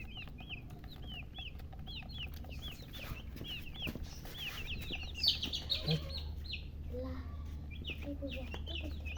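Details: Baby chicks with a hen, colored chickens, chirping: rapid, high, arched peeping notes repeated in quick runs, several birds overlapping, with a few low clucks and steady low background rumble and occasional knocks.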